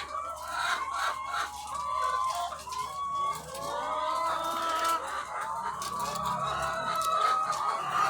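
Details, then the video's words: A farm holding thousands of egg-laying chickens: layered clucking with several clear falling and rising cackles standing out from the crowd, over a steady low drone. "The Sound of Thousands of Egg-Laying Chickens"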